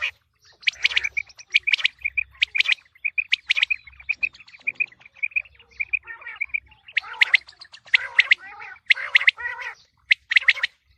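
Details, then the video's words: Quail heard before the wheat season: a long run of quick repeated clear notes at a steady pitch, followed by harsher rasping bursts and rolling calls toward the end, with faint low rumble. "Quail sounds for coming season | چیتری بلارا آنے والے گندم کے سیزن کے لیے بہت اچھی آواز"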